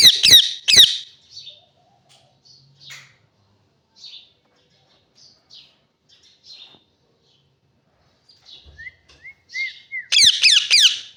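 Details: Parrot opening with loud, rasping screeches, then quiet scattered chirps, a few rising whistles and a final burst of harsh, grating squawks.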